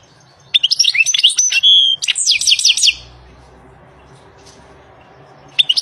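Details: Goldfinch singing in the wild: two close bursts of rapid, twittering high notes with a brief buzzy trill, then quiet with faint low rumble and a single short chirp at the end.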